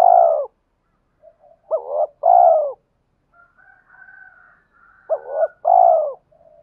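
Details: Spotted dove used as a lure, cooing to provoke fighting and to summon a mate: a mellow long coo, then two phrases, each a stuttered double note followed by a drawn-out hollow coo, with faint high thin tones in the pauses.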